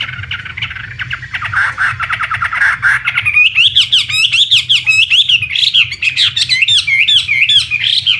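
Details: Chinese hwamei, an imported contest bird, gives a loud varied song: a fast buzzy rattling trill, then a long series of clear looping whistled phrases rising and falling, repeated in lively succession.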